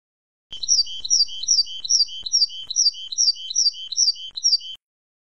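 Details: Tit singing as a training recording for goldfinches: a bright two-note phrase, a high whistle then a lower clear note, repeated about every half second in a steady run of around ten phrases.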